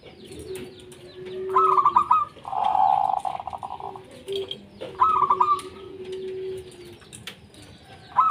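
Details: Local zebra dove from Indonesia, whose song is used to draw other doves into calling: four bursts of fast, rippling coos, one longer and buzzier, over a quiet backdrop of low drawn-out notes from other birds.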